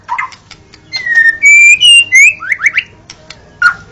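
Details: White-rumped shama song, used as a reference for training birds: pure whistled notes rising step by step, then quick upslurred notes and a final short whistle, over a faint low hum.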